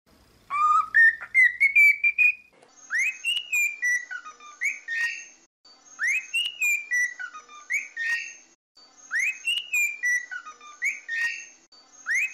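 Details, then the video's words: Pet cockatiel song played for singing training: a rising run of clear whistles, then a falling, warbling whistled phrase repeated three times at steady intervals, with faint higher harmonics. "Training Cockatiel to singing"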